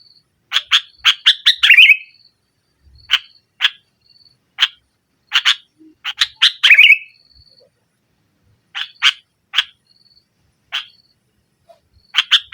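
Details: Energetic sooty-headed bulbul, nggaruda style, played to press rivals and prompt a silent bulbul: runs of harsh chips with two bubbling flourishes, faint thin high notes between phrases.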